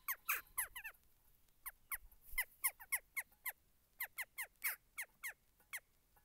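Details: Several jackdaws around a tree with a bird feeder, some squabbling and flapping before flying off, trade sharp, squeaky 'chak' calls that drop in pitch in quick, irregular overlapping bursts; faint low rumble underneath.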